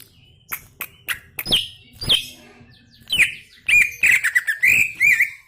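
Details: Gacor singing of a greater green leafbird: scattered sharp clicks and rising whistled notes that build into a dense, rapid warbling run of whistles toward the end.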